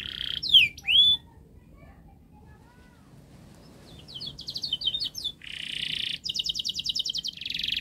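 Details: Canary song intended to prompt young canaries to sing: two loud swooping whistles, a quiet stretch, then fast buzzy trills and dense rattling tours growing louder.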